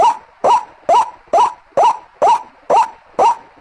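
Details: White-breasted waterhen lure call: eight loud, nasal, upward-hooked notes in under four seconds, spaced evenly and repeated without variation.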